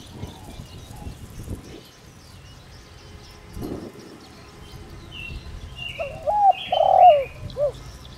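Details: Decoy spotted dove with the 'đồng rặc' voice, used to lure wild doves. Low thumps and rustling come first, then a single deep three-part coo phrase near the end, with thin high chirps of other birds.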